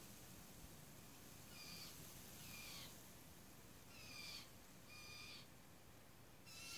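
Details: Blue jay fledglings being fed in a back yard in Newfoundland, hopping and spreading their wings; faint high rasping calls with rising harmonic stacks come in short bursts a second or so apart over steady background hiss.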